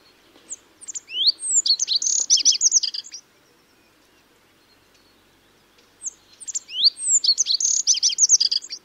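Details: Bunting from Eurasia, Russia, singing: two high song phrases about four seconds apart, each opening with thin separate notes and then a quick jangling run of sharp chirps lasting about two seconds.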